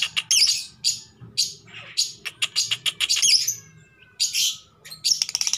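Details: Courtship calling of a female lovebird inviting a male to mate: a rapid series of harsh, raspy chirps and squawks, some run together into quick stuttering bursts, repeated throughout.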